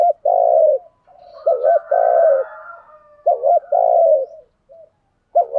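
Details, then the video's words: Spotted dove kept as a decoy for luring wild doves, cooing in low, hollow phrases. Each phrase pairs a short double note with a drawn-out coo, with a faint higher chatter between phrases. "chim cu mồi thúc gù bài bản nhất hiện nay, chim cu gáy kích bổi hiệu quả nhất hiện nay"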